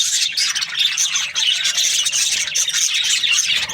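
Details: Budgerigars chattering in the morning: shrill, tightly packed chirps and little whistled notes from several birds, steady and unbroken throughout.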